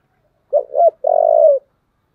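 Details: One full phrase of a spotted dove's fighting call, deep 'giọng thổ' style: two short swelling notes followed by a long, slightly wavering coo, then silence.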